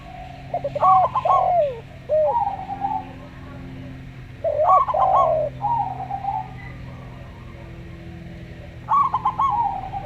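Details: Local zebra dove, slow style, with a quiet-voiced Javan derkuku alongside: three bursts of fast stuttering coos about four seconds apart, each blended with bending hollow coos and a soft rolling tail.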